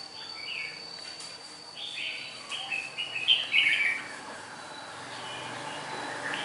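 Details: Untrained red-whiskered bulbul from Nghệ An, Vietnam, described as having a fine voice, sings a run of quick, slurred whistled notes climbing and falling, loudest mid-clip, against a constant faint hiss.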